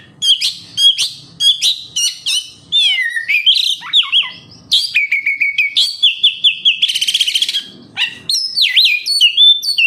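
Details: Oriental magpie-robin song used as a lure to get kept magpie-robins singing actively: a rich, fast run of varied whistles, sharp chips and slurred notes, with a brief buzzy rattle in the middle.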